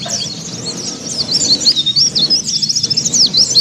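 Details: Kelud mountain white-eye giving 'ngeriwik sambung', a nonstop twitter meant to get caged birds singing: sharp high zipping notes quicken in the second half into fast rhythmic chattering phrases, several per second.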